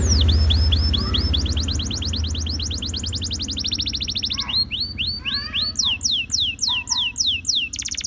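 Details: A canary song of rolling repeated sweeping notes, shifting through several fast tours and looping phrases, partly masked by a loud low rumble throughout.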